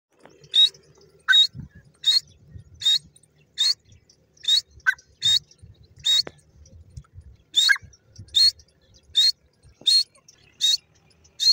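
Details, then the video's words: Francolin, a desi teetar, calling in loud, harsh, high-pitched bursts repeated about once every second in an even series, with faint low rustling and knocks in the background. "desi teeter bird sound,teetar ki vioce"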